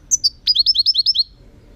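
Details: Singing European goldfinch, loud and close: a pair of high piping notes followed by a fast, evenly spaced string of about seven liquid, falling twitters, bright and ringing.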